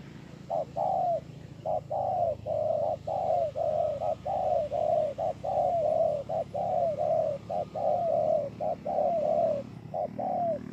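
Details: Sustained song of a spotted dove, recorded 28 November 2017 at Bờ Y, Kon Tum: about a dozen evenly spaced throaty coo pairs, a clipped note then a longer falling one, rolling on for ten seconds.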